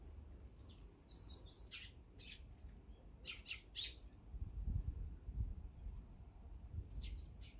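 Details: Eurasian tree sparrows eating seed quickly while the brown-eared bulbul is absent. Rapid clusters of sharp chirps are followed by sparse single notes over low rumbling noise.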